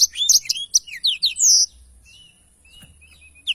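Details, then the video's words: Blackthroat singing energetically in a long rolling style: a quick burst of high, sharp chirps and down-slurred whistles, then a sustained shrill note, before the singing trails off into near silence with a few faint notes. "Tarikan Suara Blackthroat Super Gacor Ngerol Panjang"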